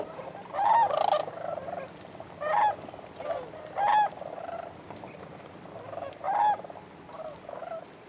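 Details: Cranes calling at Bosque del Apache: short, rattling, bugle-like calls repeated every one to two seconds over a steady background chorus of many more distant birds.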